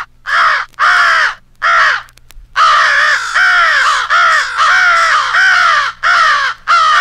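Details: American crow rally call, part of a compiled crow fight with an owl used for crow hunting: harsh, hoarse caws in bursts of one to several notes, some long and drawn-out, others clipped, with short gaps between.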